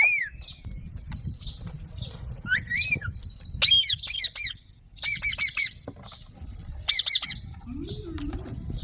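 An Alexandrine parakeet gives harsh, rasping squawks in short bursts, mixed with brief whistled notes, over a low background rumble.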